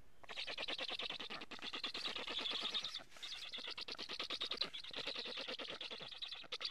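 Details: Black stork (Ciconia nigra) chicks at a nest in Estonia, 15 July 2017 around 11:15, give a fast, unbroken stream of harsh, wheezy begging notes, several per second, then defend the nest as a strange stork comes near.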